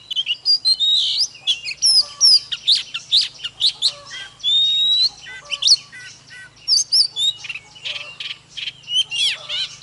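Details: Oriental magpie-robin sings while dancing, pouring out rapid chips, trills and long clear whistles that rise and fall, over a steady low hum.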